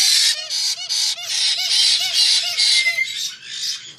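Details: Loud, rasping white-bellied parrot calls repeated in a steady rhythm about two to three per second, each harsh note ending with a short lower squeak, fading slightly at the close.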